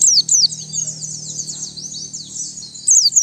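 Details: White-eye twittering song meant for luring birds, recorded clean. A continuous high, thin warble of quick slurred notes, with louder sharp descending whistles at the start and end.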